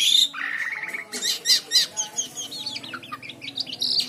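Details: White-shouldered triller singing steadily, meant for training other birds: an opening flat whistle, then bouncy rising chirps roughly four a second and a closing buzzy high note, with a low hum beneath.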